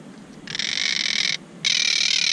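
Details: Monk parakeets building a nest, upset and fussing at a camera placed near it after someone climbed their tree; two long harsh, buzzy screeching calls, the second starting after a short pause.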